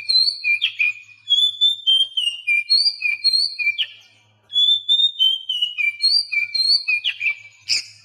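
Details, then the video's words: Whistled phrases from an Oriental magpie-robin, in a recording used to coax mute captive birds into song. Clear notes step down between a higher and a lower pitch, repeated in two runs with a short pause between them. "Masteran Kacer Bisu"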